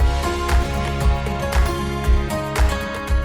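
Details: Soft instrumental music with a steady low beat and sustained harmonic tones; no animal sounds are heard.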